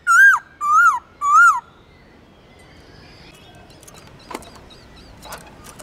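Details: Song of a laughingthrush, used to rekindle singing drive in caged birds: three loud, evenly spaced whistled notes, each slurring up and then down, followed by faint soft chatter and clicks.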